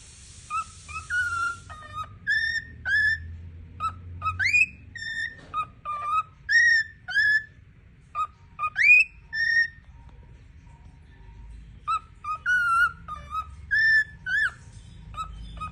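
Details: A female cockatiel whistles her favourite song, Happy Birthday, while dancing in front of a mirror: clear rising and falling notes with pauses between phrases.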